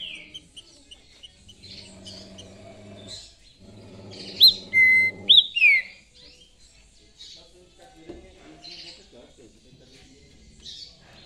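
Green-winged Saltator gives a short burst of loud, clear whistles, one held steady and others sliding downward, with scattered faint chirps, a low droning hum and men talking.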